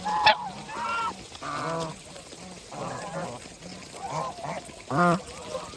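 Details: Geese on a farm honking while eating, with repeated short nasal honks roughly every half second to a second, a sharp high call at the start and a louder honk near the end.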